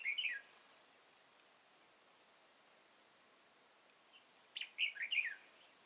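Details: Red-whiskered bulbul lure bird in a trapping session, competitive song: a brief warbled phrase, a long pause, then a louder run of three or four chirpy, bubbling notes, with steady high hiss behind.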